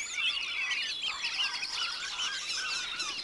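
A flock of Mandarin ducks keeps up a dense, overlapping chatter of high, squeaky whistles and short rising notes.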